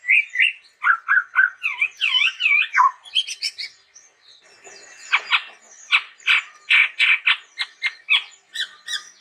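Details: Chestnut-rumped babbler in vigorous song, opening with looping wavering whistles repeated several times, then a long series of rapid, harsh clipped notes.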